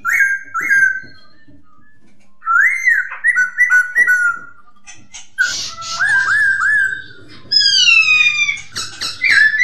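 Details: Poksay hongkong (masked laughingthrush) song: paired whistled notes, then descending warbled phrases and a harsh burst, finishing with rapid falling whistles.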